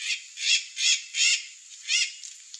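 Curl-crested jay giving a series of harsh, raspy squawks, about four in quick succession then one more, each a short burst roughly every third of a second.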